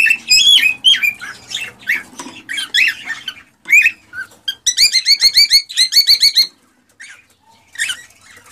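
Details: Cockatiel song used to stimulate mating: clear whistled notes and rising chirps, then a fast run of bright repeated squeaky notes about three per second, followed by scattered softer calls.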